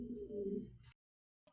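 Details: Racing pigeon of a grizzle collection giving a low, soft, throaty coo lasting under a second, followed by a brief rustle and then silence.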